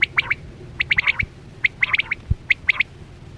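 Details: Chora quail (batera) calls used as a hunting lure for net trapping in the 2024-25 season: short, sharp, bright notes in quick pairs and triplets, clusters repeating about every half second, over low rumbling background noise.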